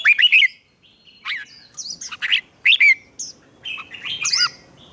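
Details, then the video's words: Red-whiskered bulbul singing in a competitive, training context: an opening loud warbled phrase, then a series of varied whistled notes and higher sharp chirps through five seconds. "Chào Mào Hót Đấu"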